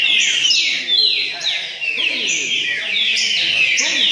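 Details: Green-winged saltator singing in a repeating style at a singing tournament in Cachoeira Paulista, Brazil: loud whistled phrases of descending slurred notes, repeated roughly twice a second, with faint voices and other birds behind.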